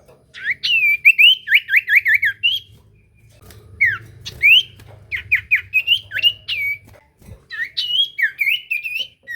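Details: Common iora singing a lure song so other ioras answer: fast series of repeated slurred whistles, about eight in a burst, then looser warbled phrases and another quick run, with a soft low hum behind.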